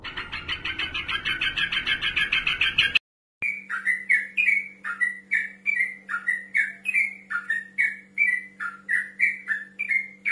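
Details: Yellow-vented bulbul male calling a rival: three seconds of dense bubbly chatter, then after a cut a steady series of clear whistled notes, each sliding down, about two per second, over a faint low electrical hum.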